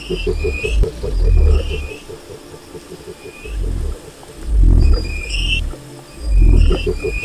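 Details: A wild cassowary starts with a fast, pulsing low throb and then gives several heavy booms spaced a second or two apart. Higher bird chirps come and go overhead.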